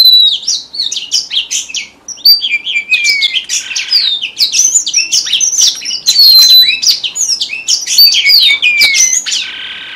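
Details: Dense, continuous twittering of high whistles, chips and slides from red avadavat lure song, used for trapping in southern Vietnam. The notes tumble rapidly with barely a pause over ten seconds.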